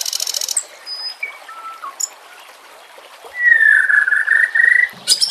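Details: Murai batu, white-rumped shama, recorded for bird training with nature sounds and trickling water: high hissing buzz, a few thin whistles, then a long loud warbled whistle with rapid wavering.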